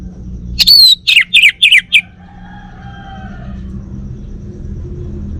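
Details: Kept male Bali orange-headed thrush utters one brief phrase: a high whistled note dropping into four or five quick, evenly spaced slurred chirps, followed by low hum.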